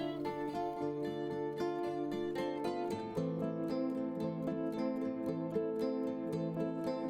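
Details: Plucked string music with steady chords and repeated notes plays throughout; no animal sound is heard.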